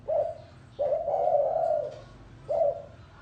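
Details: Spotted dove, 'gáy gù' style: a short coo, then a long, rolling drawn-out coo, then another brief note. Quiet chirps are heard faintly behind.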